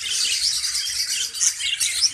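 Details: Many caged budgerigars in Pakistan during summer chatter constantly, a busy wash of high squeaks, warbles and sharp chirps that swells briefly near the end.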